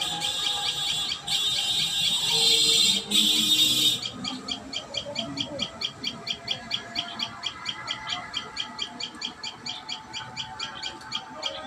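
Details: Common tailorbird at the nest: after about four seconds of loud hissing noise, clear high chirps follow in a regular train, about two per second.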